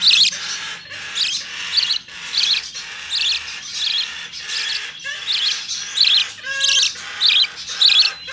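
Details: Opaline budgerigar chick, hand-tame, recorded 25 November 2019: rapid series of rasping, high chirps at a steady pace, with two brief lower, tonal squeaky notes partway through.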